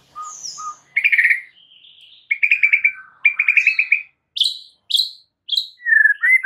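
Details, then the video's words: White-rumped shama (murai batu) singing a varied phrase: short whistles, a thin falling high note, then bursts of rapid trilled notes and sharp high chips separated by brief pauses. "MASTERAN untuk Murai Batu Stress"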